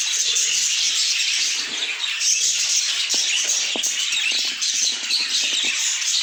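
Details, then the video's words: Dense budgerigar chorus of high chirps and warbles, overlaid with scattered short sharp clicks and taps, loudness dipping slightly midway. "A Symphony of Budgies"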